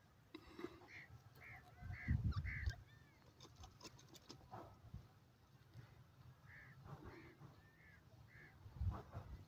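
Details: Wild pheasants and partridges calling in the warm season: faint, short arched notes repeated in loose runs of three or four, with pauses between runs, over a steady low rumble and a few clicks and thumps.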